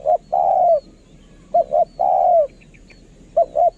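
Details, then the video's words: Decoy spotted dove cooing: a quick double coo, then a long drawn coo falling at the end, repeated in a short phrase, with a little faint high chirping in the background. "@นกเขาใหญ่ สายต่อ เสียงต่อหมานๆเสียงนกคารม"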